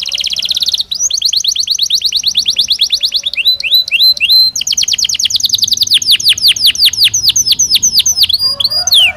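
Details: Belgian canary singing naturally, varied loud song: a buzzy rapid roll, steady trills of repeated notes, a few sweeping whistles, then fast chopped descending notes.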